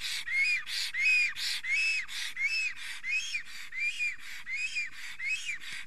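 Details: Male black stork in Estonia, nest in forest, singing in excitement with a female nearby on 30 April 2020 around 10:48 am. Regular chain of curved whistled notes and hoarse hissing breaths, about thirteen in all.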